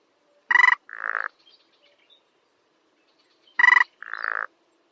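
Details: A sparrow-sized rail of wet grassy meadows, known only by voice, gives two identical couplets three seconds apart. Each is a loud clattering tapping note followed by a longer, softer buzzy grunt, against silence.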